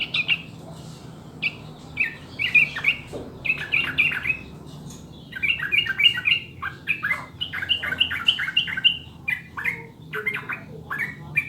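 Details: Sooty-headed bulbul master recording to coax birds into steady singing: long stretches of rapid, chattering whistled notes, squeaky and bubbling, delivered in dense runs of several notes a second with short gaps.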